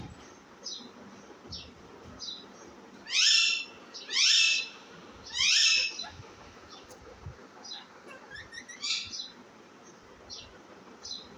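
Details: Baby parrot vocalizing. Three loud, harsh, rasping squawks come in the middle, each about a second apart, with softer scratchy chirps before and after over a low background hiss.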